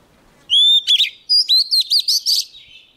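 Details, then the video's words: A young Oriental magpie-robin sings eagerly at an approaching wild bird: one long clear whistle followed by about seven quick, loud, twisting chirps in rapid succession. "Choè than non lên hót cực sung khi bổi đến gần"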